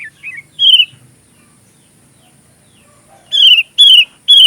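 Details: Sooty-headed bulbul song, used as filler material for training magpie robins: a few rising and falling whistled notes, a long quiet pause, then three loud clear downslurred whistles in quick succession.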